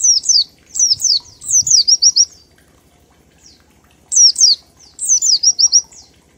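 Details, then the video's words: Oriental white-eye singing 'ngalas' style with 1234 beats, a lure to make other white-eyes sing quickly: rapid strings of high down-slurred notes trailing into short trills, in two phrases split by a silent gap. "Pleci Ngalas 1234 ketukan untuk pancingan bunyi"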